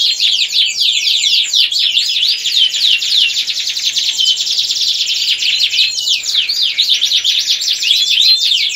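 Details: Canary song in the 'ngerek' style, meant to arouse breeding readiness in hens and young males: sustained, loud, high-pitched rolling trills, chirps sweeping up and down, with steady intensity throughout.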